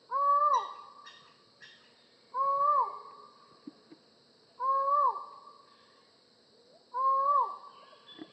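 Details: Collared forest falcon repeating loud, hollow, downward-ending 'ahr' notes, four in a steady series about every two and a quarter seconds, with soft clicks and faint birdsong between them.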